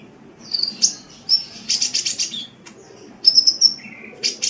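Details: Sunbird (kolibri) singing energetically for cage-bird song training: scattered high chirps, a dense buzzy burst of rapid notes, then thin whistled trills and a lower short buzz near the end.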